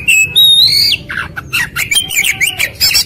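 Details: White-rumped shama song as a quick-response lure: a long whistle rising then dropping sharply, then a jumble of short buzzy chattering and rapid whistled notes.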